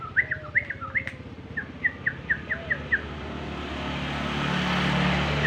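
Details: Yellow-vented bulbul lure call: about ten quick, clear chirps over three seconds, followed by a rising rush of vehicle or wind noise.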